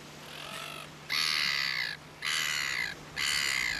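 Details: Caspian tern at Tararu, Coromandel, New Zealand, giving three loud, harsh, rasping calls, each about 0.7 seconds long and spaced roughly a second apart, over a steady low hum.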